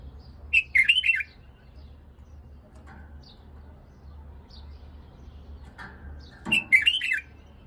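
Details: Iraqi white-eared bulbul singing: two short bursts of bubbly, liquid warbled phrases about six seconds apart, with faint scattered notes between and a low hum beneath.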